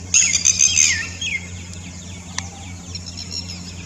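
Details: A red-wattled lapwing gives its typical call, a shrill, rapid burst of sharp notes that slide downward and fade, over a steady low hum, answering another bird on the other side.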